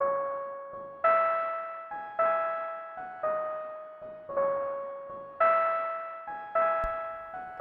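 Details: Gentle piano or keyboard notes are struck about once a second, each ringing and fading, with no animal voice present.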